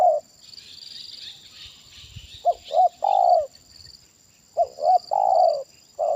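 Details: Spotted dove used in trapping with a decoy bird, 'kuk satu' big-voice style: a clipped double hoot and then a broad sliding coo, given twice in quick succession, some rustling noise between phrases.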